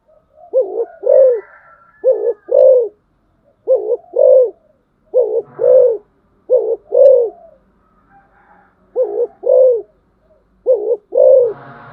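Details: Decoy spotted dove calling persistently, paired deep coos, short then long, repeated about seven times at roughly one-and-a-half-second spacing, with occasional low thumps and brief rustling noise.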